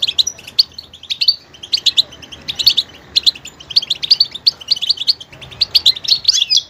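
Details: Goldfinch pouring out a varied, lively song of high tinkling chirps and liquid twitters, delivered in rapid phrases separated by short breaks.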